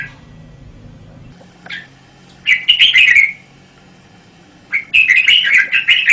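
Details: Red-whiskered bulbul song: two lively phrases of rapid, bubbling warbled notes separated by a few seconds of quiet, after a single short call.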